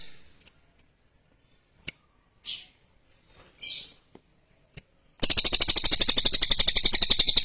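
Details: Clear, sharp song of a lesser green leafbird: after scattered faint chirps and clicks, a loud, rapid, steady chatter of buzzy notes, about seven per second, fills the last two seconds.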